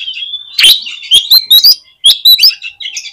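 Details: Oriental magpie-robin singing to stir up other magpie-robins: a sustained high whistle followed by loud, sharp, quick notes and slurred whistles in rapid bursts.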